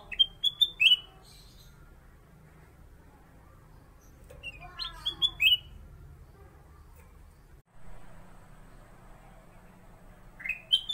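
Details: Black-capped bulbul, a kept bird used as a song tutor for other songbirds. Short bright whistled phrases with a quick rising note come at long intervals over a steady low hum.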